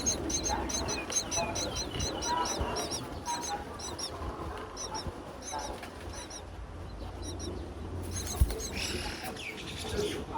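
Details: Hungry wild myna chicks at a palm-tree nest in nesting season as the mother brings food. Rapid series of high, scratchy chirps during the first half. Later there are softer notes and a low rumbling background.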